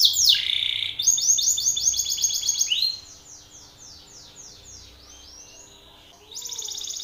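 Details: Belgian canary male challenging another male with loud song: a harsh high burst, then a rolling trill that slows and fades into softer sweeping notes before a new loud buzzy phrase.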